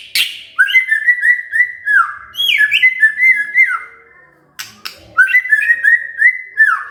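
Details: White-rumped shama answering after provocation, with strings of rapid slurred whistles in phrases of about two seconds, broken by a click and a brief silence.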